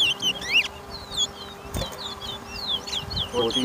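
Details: Chestnut-bellied seed finch, known locally as towa towa, competing in a 2023 singing race at a Lamaha Street bird ground in Georgetown, Guyana; bright, sliding whistles in fast succession, a sharp knock midway, faint voices nearby.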